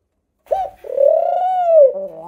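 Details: Pet dove indoors giving a short clipped note followed by one long drawn-out, smooth tonal coo that rises slightly and then falls away at the end.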